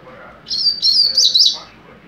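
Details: Young captive-bred double-collared seedeater singing mateiro-style song: a rapid, continuous high warbled phrase of twittering, slurred notes lasting about a second, over a faint background hum.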